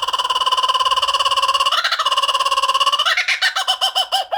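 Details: Laughing kookaburra in full cackle, a very fast even rattle of harsh notes that rises in pitch, then breaks into slower, bouncing hoots toward the end.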